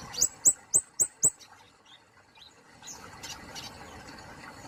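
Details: Kemade polos songbird from Indonesia: a quick run of five sharp, very high chirps, each sliding down in pitch, evenly spaced over about a second, followed by faint scattered soft notes and low background hiss.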